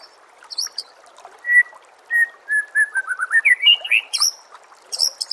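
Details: Contest-training white-rumped shama song: clear level whistles repeated about every half second that drop, then climb into a fast rising sequence of notes and end in scratchy high bursts, over a constant watery murmur.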